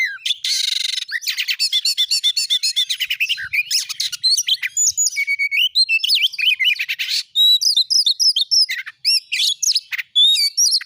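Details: Oriental magpie-robin song played as a lure to get a kept bird singing: a fast, varied stream of high whistles, buzzy trills, rattling chips and upward-sweeping notes, delivered almost without pause.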